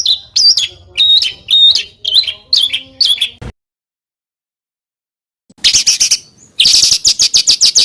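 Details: Material from small birds with rough phrasing: a series of looping whistled notes with sharp upstrokes, over two seconds of silence after a cut, then dense harsh chattering bursts.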